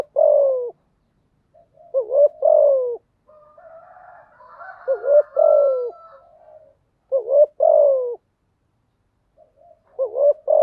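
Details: Spotted dove cooing as a lure to get newly caught doves singing: four low two-part phrases about every two and a half seconds, a quick rising note then a long falling coo, soft murmuring mid-sequence.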